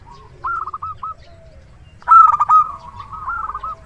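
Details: Local zebra dove, a loud, persistent singer used as a lure: a short run of soft rolled coos, then a single loud vibrant phrase trailing into quieter cooing.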